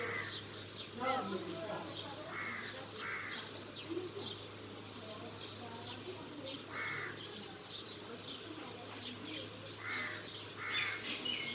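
A parrot chatters in harsh, speech-like bursts, some rasping and crow-like, mixed with a few short high whistles, over a steady low electrical hum.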